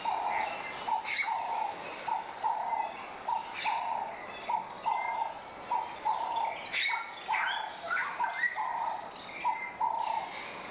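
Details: A male Montserrat oriole, an endangered bird found only on Montserrat in the Lesser Antilles, gives short, mellow whistled notes about once a second, mixed with sharper high chips and brief rising notes.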